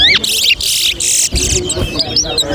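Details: Chestnut-bellied seed finches (towa towa) in a 2024 whistling competition between two birds at Alligator Pond, Guyana, whistles being counted; quick high slurred whistles and warbled phrases, broken by loud noisy bursts, with music and voices in the background.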